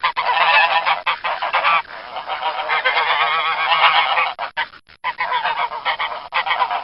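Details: Domestic geese honking almost nonstop, a harsh chorus of nasal, rasping calls that piles up over itself, softens briefly in the middle, then returns in choppy bursts with a few short pauses.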